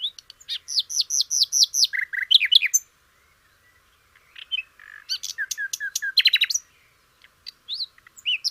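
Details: Sikatan londo (flycatcher) singing as a training model for songbirds: a rapid series of repeated high downslurred whistles, then a lower churring phrase, a pause, and another run of quick chips and trills.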